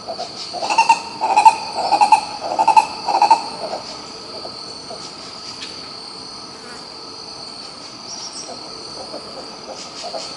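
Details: Green ibis (Mesembrinibis cayennensis) singing in Pirenópolis, Goiás, Brazil: a quick run of about five hoarse, rolling mid-pitched notes over three seconds, then quiet; a steady high insect drone continues throughout.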